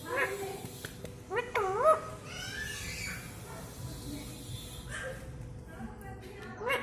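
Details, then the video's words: Pet talking parrot saying "mitthu", a clear phrase repeated in a distinctly voiced way; short harmonic vocal syllables with rising and falling tones, over steady background hum and some household noise. "मिट्ठू मिट्ठू बोलता एकदम साफ आवाज में"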